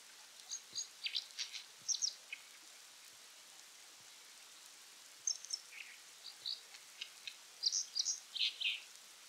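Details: A brown dipper (Cinclus pallasii) in Japan in late November sings persistently to claim territory, in bursts of high, scratchy twitters and buzzy trills with short pauses, over a steady hiss of rushing water.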